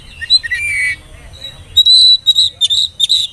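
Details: Oriental magpie-robin song as a lure to prompt young birds to sing; sustained high whistled notes and a falling slur, then a run of rapid repeated sharp chirps, loud and clear.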